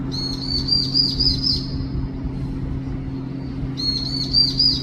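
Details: Lost long-tailed tit fledgling crying for its parent: two bursts of shrill, quavering trills, one at the start and one near the end, separated by a quiet pause. A low steady hum persists throughout.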